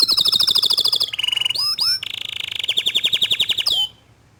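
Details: Canary song from a young bird responding to a loud, energetic canary: dense high rolling trills, a buzzy held phrase, upward-sweeping whistles, then another fast rolling trill ending in a rising slur.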